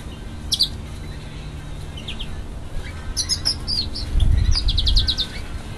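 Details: Canary hybrid (mule) from a female Timbrado x American Singer canary crossed with an African St Helena canary, singing high sharp chirps in scattered bursts, then a rapid trill of about eight repeated notes, over a steady low hum and a dull thump.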